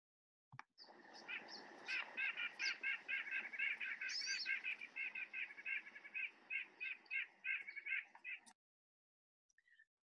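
A White-breasted Nuthatch gives a steady run of nasal, honking yank notes, about two per second, for several seconds. No other sounds are heard.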